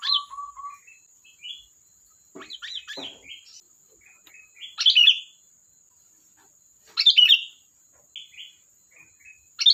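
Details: Sooty-headed bulbul in lively chatter: a few soft whistled notes, then two loud bubbly bursts a couple of seconds apart, linked by quiet chirps, with a steady faint high whine behind.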